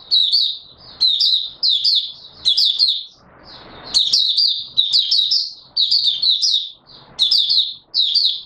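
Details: 24 March 2022 recording of an Oriental white-eye singing: strings of thin, high chirping notes in quick phrases, with a brief rustling noise between bursts and soft ticking sounds throughout.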